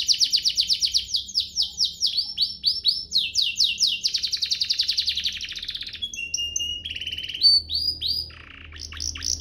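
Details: Domestic canary master song for teaching young canaries and triggering song. A long run of fast, sharp repeated notes slows into varied whistles, clicks and short slurred phrases near the end.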